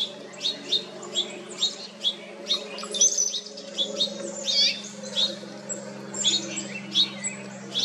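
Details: Painted bunting on Jekyll Island, Georgia, USA, in June, summer: high, quick warbled phrases of thin sweet notes, repeated every second or so, over a steady low hum.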